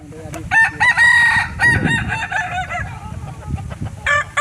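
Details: Kukuak Balenggek rooster, an original breed from Solok, West Sumatra, crowing: a sustained harmonic note near 0.5–1.5 s, then a short break and further broken crow segments, over low background rumble.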